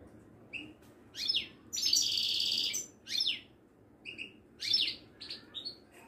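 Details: Caged Moroccan European goldfinch of the Wedani type at a bird market in Casablanca, singing bright twittering notes broken by a long, loud buzzy nasal trill lasting about a second, then more chirps, over a low murmuring background.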